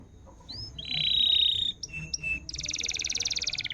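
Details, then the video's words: Canary song played as a lure to coax a silent canary into singing: a rising whistle, a bright steady buzzy trill, short chips, then a fast rattling trill repeated many times per second. "SUARA BURUNG ,PANCINGAN KENARI MACET‼️ GACOR"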